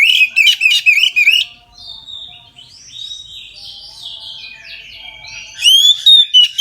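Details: Full midday song ('ngeplong') of an Oriental magpie-robin, played to spur others to sing: rapid run of loud sharp notes, then varied soft warbling and scratchy phrases, ending with loud rising whistles.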